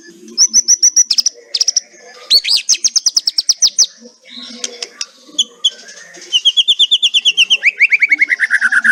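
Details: Kretekan song of a white-rumped shama, used to draw song from silent shamas: steady rapid high notes, a scratchy rattling stretch, then a long fast series of descending slurred whistles.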